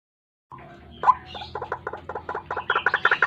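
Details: White-breasted waterhen lure call used for morning trapping: after a short silence, rapid croaking notes build into a steady series of paired pulses, growing louder toward the end.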